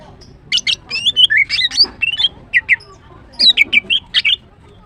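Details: Female greater green leafbird singing melodiously in the morning, a lively stream of sharp chips and looping, slurred whistles in two long phrases separated by a short pause.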